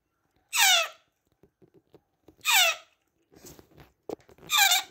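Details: An African grey parrot chick on day 68, calling at feeding time: three harsh, falling squeals repeat roughly every two seconds, with faint clicks and soft shuffling noises in the gaps.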